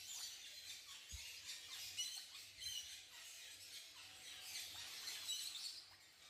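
Regent parrots give a dense, continuous chatter of harsh, high squealing calls, many overlapping, with a few lower knocks underneath.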